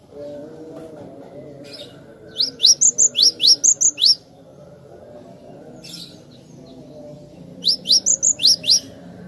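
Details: Cinereous tit song for attracting birds: a brisk run of about eight high, clear notes with sharp upward sweeps, a pause with soft low hum, then another quick series of five.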